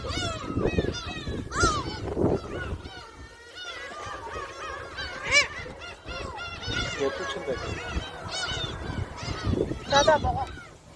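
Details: Gulls being fed at Jebudo island, South Korea, keep up an overlapping jumble of shrill mewing cries with louder bursts at intervals, over voices and bumping noises close by.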